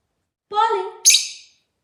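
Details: Very chatty rosy-faced lovebird giving a nasal, squawky note with lower stacked tones, run straight into a shrill, harsh high chirp.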